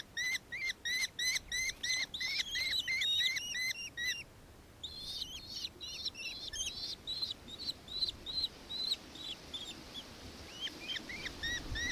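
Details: High, curved chattering notes from a nankeen kestrel in Victoria, Australia, 4 December 2024: a quick regular series, a short pause, then fainter, looser calls over soft background hiss.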